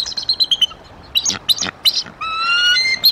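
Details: At the Decorah nest in April 2023, an adult female bald eagle gives sharp high chips and squeaky notes, then a drawn-out rising whistle near the end.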